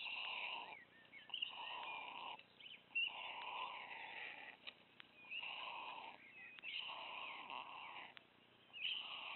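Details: A very hungry white stork chick at Wilsum, pulling food from its parents' beaks, begs with hoarse, wheezy, cat-like mewing bursts, each about a second long and repeated every second or two, with brief squeaks between.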